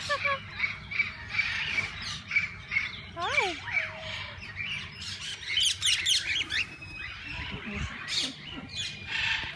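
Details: Parakeets in a walk-in aviary giving a run of short, evenly spaced chirps, then a downward-swooping whistle and bursts of sharp squawks over a busy background of birds.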